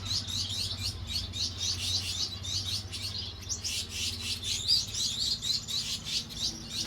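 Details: A pair of blue Gouldian finches giving dense, rapid high chirps and thin, slurred notes, several per second and overlapping throughout, over a steady low hum.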